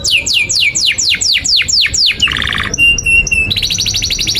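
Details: Long, lively canary song used as a training model for young canaries learning to sing: a series of loud downward-sweeping whistles, then a buzzy trill, steady pure whistled notes, and a fast rattling trill at the end.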